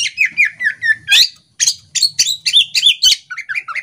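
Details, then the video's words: Female Oriental magpie-robin, caged, singing busily with tail spread; rapid varied whistles and chirps, sweet slurred notes and harsh scratchy bursts in a continuous chattering stream. "Kacer betina ngobra buka ekor"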